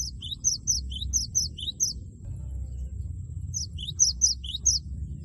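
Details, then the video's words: Loud 'wucit wucit' song of a cinereous tit, used to goad a rival into singing: rhythmic high paired chirps with lower downslurred notes, two lively phrases with a gap of silence between them. "Gelatik batu gacor suara lantang wucit wucit merangsang lawan agar ikut bunyi gacor"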